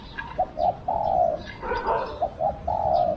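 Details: A spotted dove (Spilopelia chinensis), used as a decoy to lure wild doves, gives soft, husky coos in a short-short-long phrase, twice in quick succession against a quiet background.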